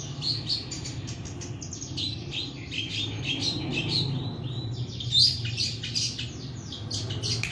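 A long-tailed shrike gives a steady run of quick, high, scratchy chirps and twittering notes over a low background rumble.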